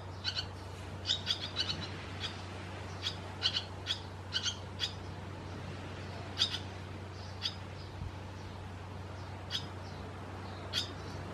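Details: Barn swallows in Croatia uttering brief bright twittering chirps, clustered in the first half and then spaced out every second or two, against a steady low hum.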